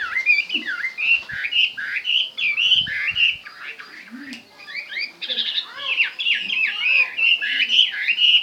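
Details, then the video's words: Chinese hwamei singing strongly, repeated swooping whistled phrases, many rising then falling, delivered in quick succession with a short softer dip midway, then resuming loud and melodious. "chim hoa mi hot"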